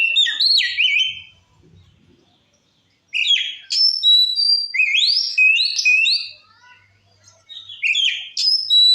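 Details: Provoking white-rumped shama song: a swooping whistled phrase, a pause, then several bursts of bright rising and stepped whistles in a varied sequence.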